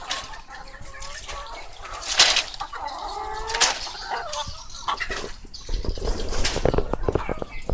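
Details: Flock of laying hens inside a coop, clucking and giving drawn-out squawking calls, with a few sharp loud cries and wing flapping over a rumbling background.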